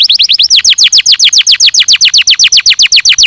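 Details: Canary song opening with a few quick short notes, then settling into a steady run of loud downslurred whistles, roughly four per second, evenly spaced.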